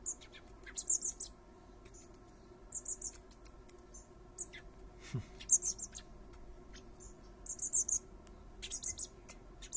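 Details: Garden scene of a male common blackbird feeding his three fledglings; the young give repeated short clusters of shrill, high-pitched squeaks, broken by pauses and scattered soft clicks and rustles.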